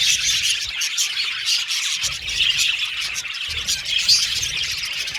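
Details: Colony of budgerigars in an aviary: a dense, continuous wash of high chirps and twitters from many birds overlapping, with faint low rumbling in the background.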